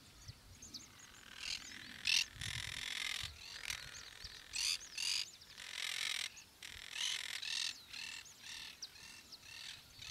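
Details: Yellow-headed Caracara (Milvago chimachima) in Gualeguaychú, Entre Ríos, Argentina, giving harsh, hissing screams in a ragged series of about a dozen bursts, with thin high whistles from other birds in between.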